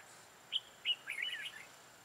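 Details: Red-whiskered bulbul recorded on 13 October 2018 while being trapped with a decoy bird. Two loud separate whistles are followed by a fast, rolling warbled phrase, in a full-ending song style.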